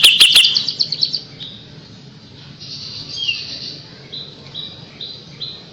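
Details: Kapas tembak bird song used as a tutor recording for young white-rumped shamas: a rapid burst of sharp, high chattering notes, then softer, brief high whistles spaced about half a second apart over faint background hiss.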